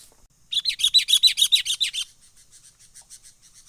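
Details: Sooty-headed bulbul lure call, in the full 'menggaruda' style, recorded from a wild bird and used for trapping: a fast run of about a dozen sharp chattering chirps, then softer scattered chips trailing off.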